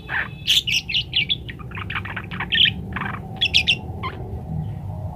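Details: Energetic parakeet twittering, a master recording for helping munias learn to sing fast: bright high chirps in quick bursts, a rolling warble in the middle, then a final cluster of piercing notes and a short squeak.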